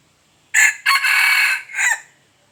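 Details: Red junglefowl crow in four parts: an abrupt first burst, a quick gap, a drawn-out raspy stretch, and a shorter dropping end note, loud and clear over near silence.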